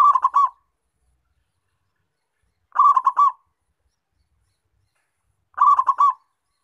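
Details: Local zebra dove singing actively, used as a lure to attract wild zebra doves: short stuttering cooing phrases of rapid rolled notes, each about half a second, repeated every two to three seconds against silence.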